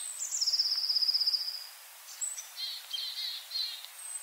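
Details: Long-tailed tit near a yard in Joroinen gives a brief, fast, high trill. Softer, scattered high chirps and short buzzy notes follow, with quiet gaps between them.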